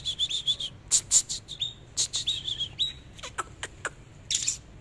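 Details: A displaying Oriental magpie-robin sings rapid, bright whistled phrases with warbling notes, broken by sharp clicking sounds and brief downslurred chips.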